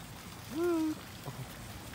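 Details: A wild duck being fed in the USA gives one drawn-out, nasal call that rises quickly then holds steady for under half a second, over a soft patter like rain.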